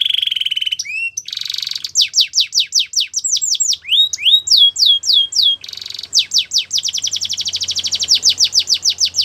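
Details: Canary song, offered for training young singers: varied tours of rapid descending whistled sweeps, buzzy rolls and fast trills, each phrase repeated several times before switching, about three notes a second, clean with a faint low hum.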